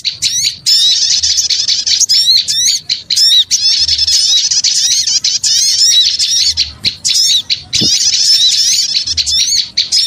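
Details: Noisy chorus of small birds used as a lure, sharp zigzag chirps and rapid squeaky trills pouring out in bursts of several seconds, with short quieter breaks between bursts.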